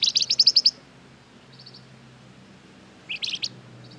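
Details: Gacor flamboyan bird used as a lure to draw replies from other birds: a fast burst of seven bright, high chirps, a faint echo-like trill, then a second sharper burst of four to five notes, over quiet background hum.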